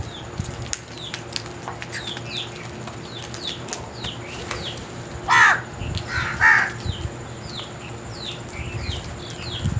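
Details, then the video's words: Crows making strange, loud noises: two harsh, ragged caws stand out near the middle. Many faint, short chirps are scattered throughout, with a steady low hum in the background. "Very strange Crows Sounds | Amazing noise made by Crows"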